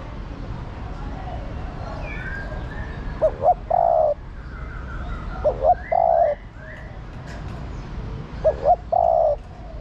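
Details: Female spotted dove calling to the male, repeating a three-part phrase three times about every two and a half seconds: two short notes, then a long mellow coo. Faint whistles of other birds are heard between phrases.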